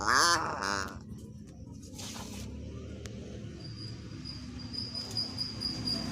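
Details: Common hill myna, natural voice used as a lure to prompt other mynas to sing: a loud, harsh, harmonic-rich call with a quick stuttering start, lasting under a second, then only low background hum and faint noise.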